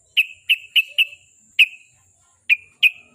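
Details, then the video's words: Sooty-headed bulbul notes meant to coax a caged bird into singing: sharp, clipped chirps, each with a short fading tail, delivered singly or in quick pairs with irregular spacing. "KICAU SUARA BURUNG TRUCUK PACINGAN BIAR RAJIN BUNYI"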